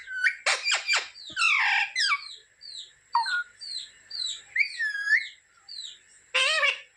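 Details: Talking pet parrot giving rapid harsh chattering notes, then a run of short clear whistles, a looping warbled phrase and a final loud harmonic burst, with a faint constant high-pitched tone behind.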